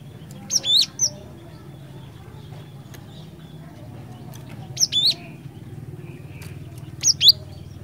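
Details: Cinereous tit, ngerol ngeplong song used for luring: three well-spaced phrases of high thin whistled notes, each a quick down-up slur, over a steady low background hum.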